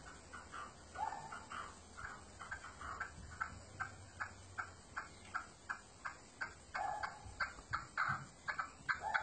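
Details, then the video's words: A partridge gives a steady run of short, clucking chuck notes, roughly one or two a second, over a low background hiss. "صوت الحجل"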